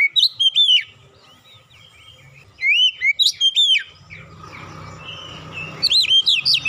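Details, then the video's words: Oriental magpie-robin song mixed with cinereous tit song, used as a training lure. Two bursts of clear, rapid whistled notes that rise and fall sharply, with a quiet gap between them, then a third burst near the end over faint low background noise. "PANCINGAN KACER ISTIMEWA BESET SUARA GLATIK BATU"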